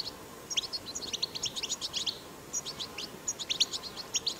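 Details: European goldfinch singing in the wild, a recording meant to stimulate other goldfinches to sing; quick high chirps and tinkling trills tumble in short dense runs, a brief pause midway, over soft background hiss.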